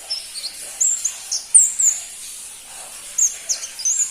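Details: ['Crimson-breasted flowerpecker, known locally as pentis pelangi, giving short, very high, thin sliding notes in scattered bursts, some rising and some falling, separated by brief pauses over a soft background hiss.']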